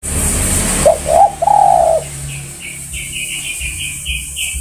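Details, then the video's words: Spotted dove calling to other birds, giving one phrase of three hoarse coos with the last held longest. Small birds then chirp high and thin in quick repeated bursts over a steady hiss. "Tekukur Memanggil Kawan"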